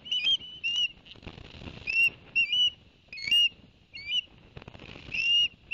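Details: Whistled chirps from Barnegat Light ospreys, 11 September 2021, after the male brought fish for the young: irregular upslurred and downslurred notes with soft rustling between.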